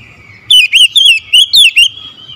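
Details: Oriental magpie-robin in morning song: a held thin whistle leads into six rapid, loud, wavering whistled notes in quick succession, then the held tone again.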